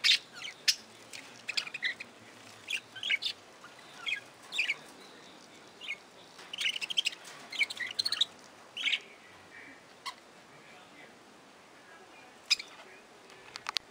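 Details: Aviary budgerigars chattering steadily: a busy stream of short, high chirps and squeaky notes, some in quick runs of clicks, repeated every second or so across the stretch.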